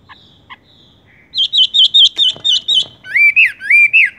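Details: Horsfield's bush lark (wambie) singing in the tung roll style, rolling straight into song: faint chips, then a dense run of repeated buzzy notes, then loud slurred whistles that rise and fall.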